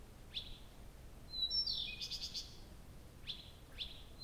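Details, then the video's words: Nightingale singing all night at Abramtsevo, early June 2021, recording started at 23:00; short whistled notes, then a pure high whistle leading into a buzzy rattling phrase, followed by two more whistles. "Соловей поёт всю ночь"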